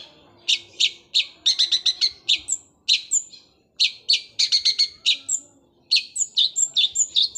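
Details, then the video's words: Long-tailed shrike giving sparrow-style notes in fast rolling phrases likened to a sewing machine. Sharp, clipped high chirps come singly and in quick clusters, with some thin upslurred notes near the end. "Cendet suara gereja Kunti tembakannya seperti suara mesin jahit roll speed fighter"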